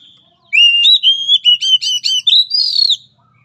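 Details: Oriental magpie-robin therapy song for a weak-spirited bird: a steady series of strong, clear whistles with rapid slurs, ending in a higher rising phrase.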